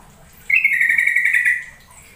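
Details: Yellow-vented bulbul lure call used to make a bird sing and become tame: a single steady, slightly wavering trilled note lasting about a second, over a quiet low hum.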